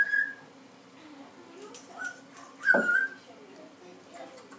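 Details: Six-month-old African grey parrot playing on its rope swings: a short high whistle, then a loud harsh squawk sweeping downward, with soft chatter and rustling in between.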